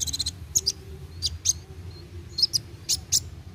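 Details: Sunbird called kolibri wulung singing briskly, used to encourage young birds to sing: scattered paired high chips and thin squeaks with irregular gaps, over a soft low hum.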